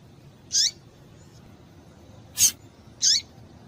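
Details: Calls of a female double-collared seedeater meant to make males sing: three brief, sharp, high notes, two ending in a downward slur, separated by gaps of about two seconds and half a second.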